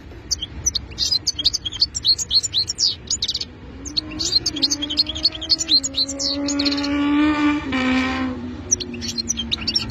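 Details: European goldfinch pouring out rapid, high, tinkling twitters in long runs. Midway a low, drawn-out droning tone and a brief broadband rush intrude, then the bright twittering returns.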